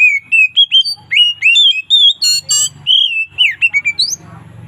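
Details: Loud, relaxed ngeplong song of an Oriental magpie-robin with variations in the afternoon: a fast series of ringing whistles, a harsh buzzy rattle midway, and more slurred whistles ending over a soft low hum.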